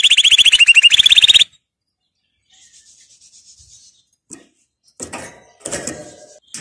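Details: Canary training song opening with a strong, fast, buzzy trill that changes pitch midway, then a faint soft warble and some rustling and knocking sounds.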